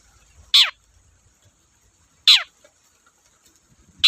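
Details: Long-tailed shrike on a lure track for sluggish birds: harsh descending rasps about every 1.7 seconds, with a steady faint high hiss and soft low knocks.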